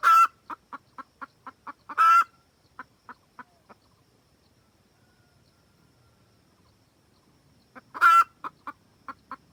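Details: Hen of the wild red junglefowl cackling to summon a rooster, played as a trapping lure: quick runs of clucks with loud harsh squawks, then a silent pause and another burst.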